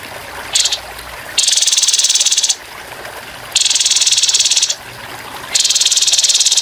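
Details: Training recording of a grey-headed babbler's rough 'tembakan kasar' song with running water: a short high note, then three long buzzy rattling trills, each about a second, repeated at steady intervals.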